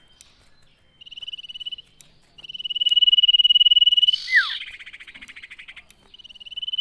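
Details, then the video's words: Common iora singing, used to encourage other ioras to sing: repeated level, rapidly pulsed whistles, one ending in a falling slur that is partly masked by a brief noisy burst, then a fainter trill and a new one starting. "Burung Cipow Gacor Cocok Buat Pancingan Cipow Di Rumah Biar Ikut Gacor"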